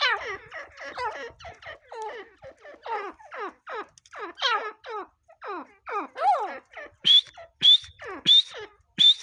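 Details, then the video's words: Grey francolin voice: repeated harsh, nasal calls in a quick, uneven series, later joined by sharp rising whistled notes about every half second. "grey francolin voice"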